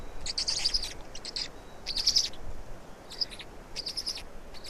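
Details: Estonian black storks during feeding on 16 May 2019 at 16:58: bursts of high, buzzy chirps every second or so, several short series with pauses, over mild background hiss.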